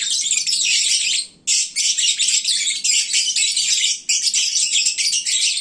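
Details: Lovebirds calling at midday when full and drowsy, their noisiest time: nonstop high-pitched twittering and squawky chirps from a group, with one brief break early on.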